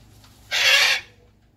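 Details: Blue-and-gold macaw enjoying the morning outdoors beside a red-tailed black cockatoo: a single half-second burst of harsh, noisy screeching, broad and grating, against near silence.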